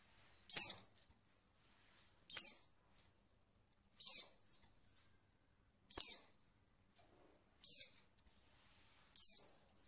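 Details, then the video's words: Six high, thin descending whistles from a female Oriental white-eye, spaced roughly every one and a half to two seconds, a call used to spur males to sing; otherwise silent. "pleci betina untuk merangsang bunyi pleci bahan"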